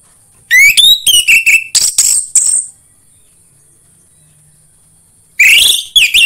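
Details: Orange-headed thrush lure song to encourage kept birds to sing: varied phrase of clear sliding whistles followed by buzzy, harsh notes, then a long pause and a fresh burst of whistles.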